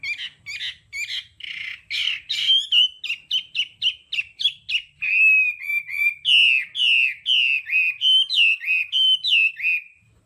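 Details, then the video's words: Hwamei singing 'đảo âm' training song: harsh scratchy bursts open a fast, steady series of rich whistled notes, about three per second, sliding and looping in varied phrases. "Âm thanh luyện giọng họa mi hót đảo âm hay nhất"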